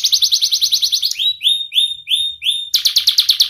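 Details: Young canary song used to train juvenile canaries: a fast high trill, five slow rising whistled notes spaced about a third of a second apart, then another rapid trill.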